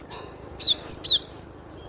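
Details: ['A cinereous tit whistles a rapid phrase of five sharp notes, alternating high and slightly lower downslurs in a steady rhythm, with little background sound.']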